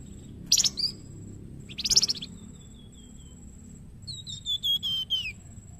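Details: Young flamboyan singing for bird training, Indonesia: two short buzzy bursts, a thin fading whistle, then a series of clear whistles sliding steadily downward, over a faint persistent high tone.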